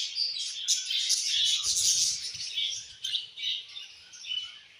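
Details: Budgies at evening in summer chatter busily: rapid overlapping chirps and raspy warbles, loud and unbroken for about three seconds, then quieter bursts of twittering. Soft low thumps are heard underneath.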